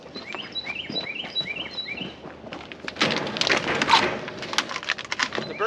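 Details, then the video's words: Carolina wren singing on a vegetable farm in northeast Pennsylvania during tomato planting, a quick run of bright, rising whistled phrases, about two per second, before thumps, rustling and a human voice take over. ""birds are singing..." Carolina Wren."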